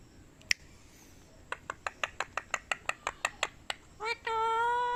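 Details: Ringneck parrot talking indoors in a small room: a run of about a dozen sharp, evenly spaced clicks, then a brief rising squeak and a sustained, tonal, nasal note with rich overtones at the end.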